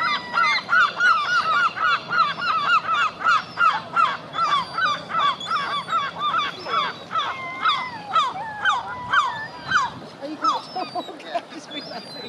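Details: Noisy Herring gull family, a pair and their young: rapid run of harsh, repeated laughing calls, almost three a second, later breaking into wilder, more uneven yelping notes, followed by a few spaced calls.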